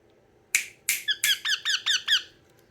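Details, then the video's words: A yellow rose-ringed (ringneck) parakeet gives a quick run of about eight harsh, rasping squawks, each with a descending bend, over roughly two seconds indoors. "yellow ringneck parrot"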